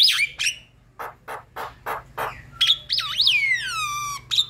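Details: Javan myna song used to make silent mynas sing: squeaky whistle, a row of harsh rasping bursts, then a looping whistle sliding into a long falling tone.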